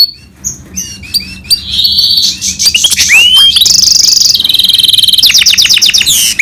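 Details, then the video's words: Quiet scattered chips build into loud song from a goldfinch and canary hybrid: a sliding whistle, a harsh high buzz and a fast rattling trill of repeated notes. "Гибрид щегла с канарейкой/ سایره کنری/ hybrid of goldfinch and canary"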